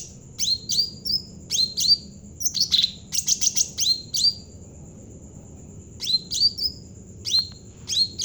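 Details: Cucak ranting bulbul from Java in full song, used as a training lure for other birds: clusters of bright, high downslurred notes and quick chattering runs repeated every second or two, a faint continuous high tone throughout.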